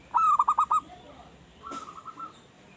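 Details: Caged young perkutut that has only recently begun singing: a quick run of five clipped, mid-pitched coo notes, then a softer, fainter series of trilled notes after a short gap.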